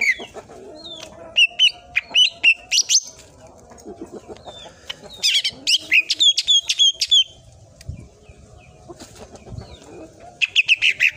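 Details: Greater green leafbird (cucak ijo) tutor song in full tembakan style: quick runs of sharp repeated chirps, interspersed with downward whistles and a rapid chattering burst at the end.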